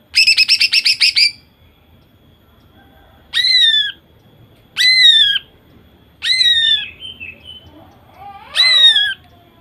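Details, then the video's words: Female greater green leafbird singing to stir males: a rapid harsh rattle burst followed by four loud ringing downslurred whistled squeals spaced about one and a half seconds apart. "Cucak ijo betina gacor nembak sadis. Cocok untuk memancingcucak ijo jantan agar bunyi."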